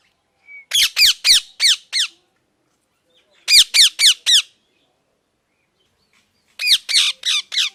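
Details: Pet parrot calling in three bursts, each of four or five loud, raspy, downward-sweeping squawks delivered about four per second, separated by silent gaps of over a second.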